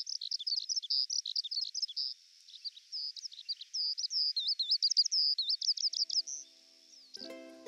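Eurasian Skylark pouring out a fast, continuous stream of high chirrups and warbled trills; a brief musical tone cuts in at the end.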